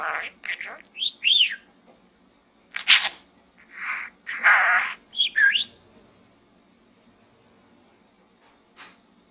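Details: Captive budgerigar chattering inside a small gourd; several buzzy bursts and looping whistled notes in the first six seconds, then near silence with a faint late chirp.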